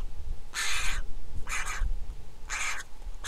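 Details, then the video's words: Griffon vulture nestling in Israel calling at lunchtime, nest camera, July 2021: three loud, coarse, rasping squawks about a second apart, with low rumbling noise beneath. "Lunchtime for the baby vulture| Griffon Vulture Nest Israel CAM נשר"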